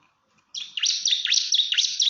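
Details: Bar-winged prinia calling a rival, another prinia reportedly responding straight away: after a short silence, one continuous run of loud, sharp, high chirps with quick dipping notes, repeated about four times a second.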